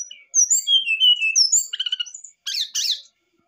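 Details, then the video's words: Brown-chested jungle flycatcher pouring out excited song to provoke a response: a cascade of clear, high whistles stepping downward, then quick chattering notes and a harsh rasping burst. "sikatan rimba dada coklat muntah emosi"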